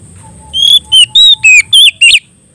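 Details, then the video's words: Loud clear 'ngeplong' singing from an Oriental magpie-robin calling out a rival: six piercing whistled notes in a steady run over under two seconds, with a faint low hum behind. "suara burung kacer gacor ngeplong memanggil lawan"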